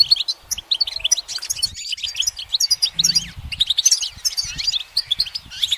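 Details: Goldfinch singing on a branch in sunlight: dense, rapid twittering with liquid chirps and downward slurred notes, a short hush near the middle, then renewed tinkling phrases.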